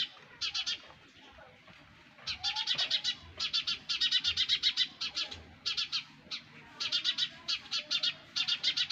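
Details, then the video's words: Sparrow chicks in the nest giving bursts of rapid, high, harsh chirps packed close together, each burst lasting about half a second to a second with short pauses between, quiet background hiss. "Sparrows baby in nest! | Sparrows Sound Effect"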